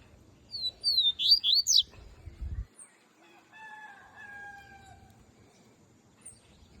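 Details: Melodic coleiro song: a short burst of quick, high whistled slurs and chirps, followed by a drawn-out rooster crow in the background and a few faint distant chirps.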